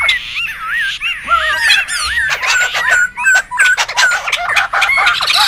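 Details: Noisy wild laughingthrushes, for luring and tutoring birds: wavering whistles and squeaky calls overlap with bursts of harsh rattling chatter, loud and uneven throughout.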